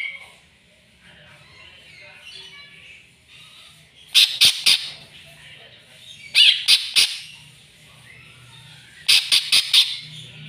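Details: Agitated greater green leafbird seeking a rival: loud, rasping bursts come in clusters of three to four, spaced about two seconds apart, over a quieter ongoing high chatter.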